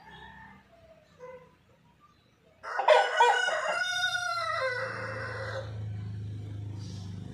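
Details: After faint clucks, a white rooster bursts into a loud, harsh crow lasting about three seconds with a long falling tail, followed by a low rumbling background.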